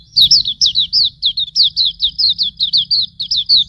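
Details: Rapid Hume's white-eye song meant to tutor cage birds: closely spaced, high, slurred notes pour out in an even series, some slightly rising before they fall.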